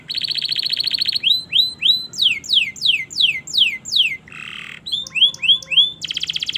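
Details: Canary training song: a buzzy trill opens, then a run of rising and falling slurred notes, a harsh buzzing burst, more upslurred whistles, and another buzzy trill.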